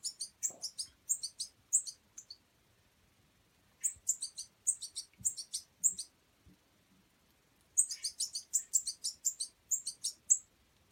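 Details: Hand-fed European goldfinch fledgling in wild bird care, giving bursts of high, thin, squeaky chirps in rapid runs, pausing briefly, then resuming with a dense volley of sharp repeated notes; quiet background.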